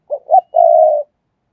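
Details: Decoy spotted dove cooing up close: two brief, throaty low hoots, the second slightly higher, then a sustained smooth coo about half a second long, in silence otherwise.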